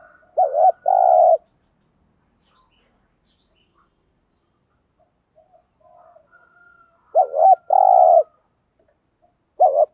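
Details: Spotted dove used as a decoy to attract wild doves, repeating its thúc gù phrase: a wavering double coo followed by a steady deep coo. The phrase comes twice, about seven seconds apart, with a third starting.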